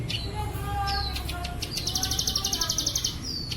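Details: Plain prinia song from an Indonesian training recording for caged songbirds, mixed with bren cililin fill-ins: a buzzy, rapidly pulsed high trill of about four notes per second, preceded by thin descending whistles over a low steady hum.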